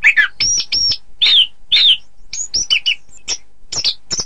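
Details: Orange-headed thrush song used to train birds for song contests: a fast run of varied, high notes, with slurred whistles, sharp chirps and short buzzy phrases following each other at about two per second.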